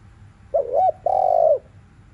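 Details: A single afternoon phrase from a spotted dove, used to urge other doves to call: two short rolling notes, a brief pause, then a sustained soft coo that falls slightly at the end.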